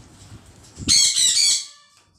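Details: A long, loud, raspy screech from a green pet parrot, lasting under a second and ending abruptly into quiet.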